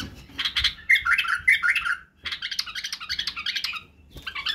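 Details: Badrawi bulbul singing as a model for young bulbuls learning song and barwaz: two bursts of dense, scratchy, bubbling warble separated by a brief pause, with a short phrase at the end.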